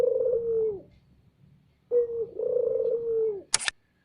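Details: Two loud spotted dove phrases for luring: each is a short note followed by a sustained vibrating croon falling slightly. A sharp click or snap closes the clip.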